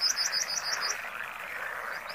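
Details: Comb-crested jacana (Irediparra gallinacea) giving a quick burst of about seven thin, high piping notes within one second, then two faint notes, against a continuous frog chorus.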